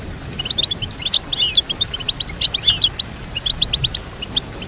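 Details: Goldfinch singing for tutoring another goldfinch: a lively series of sharp high chirps broken by two louder, tangled twittering phrases.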